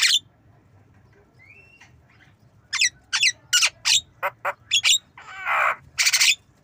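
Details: Javan myna learning to cough while nodding; after a faint rising whistle and quiet spell, a rapid series of sharp harsh notes builds to two broad raspy, cough-like bursts near the end.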